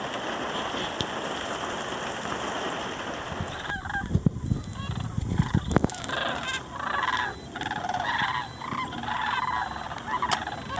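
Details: Sandhill cranes (Antigone canadensis), a couple hundred streaming overhead out of a swamp at Muscatatuck National Wildlife Refuge, southern Indiana, on 24 January in winter, give loud overlapping rolling, trumpeting calls in short bursts over a steady rumble of wind or traffic.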